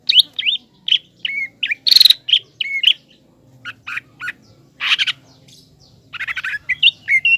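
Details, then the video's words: Green leafbird in vigorous song, used to goad a young speckled leafbird into aggression. Quick whistled and chattered phrases, harsh noisy bursts and a varied mimicking medley, with brief pauses between bouts. "CUCAK IJO GACOR MEMANCING CUCAK IJO TROTOL AGAR EMOSI DAN PANAS"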